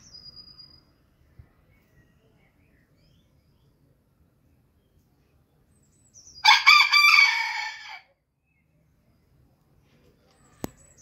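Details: Booted bantam rooster crows once after a long quiet stretch: a brisk harmonic cock-a-doodle-doo of several short notes running into a drawn-out tail, then silence broken by a sharp click.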